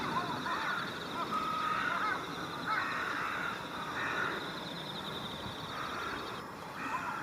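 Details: Mixed flock of Jungle and Carrion Crows in pre-roost gathering on countryside electric cables at dusk, early October, Japan, calling one another: harsh, hoarse overlapping caws from several birds in bursts about every second, over steady hiss and faint higher chatter.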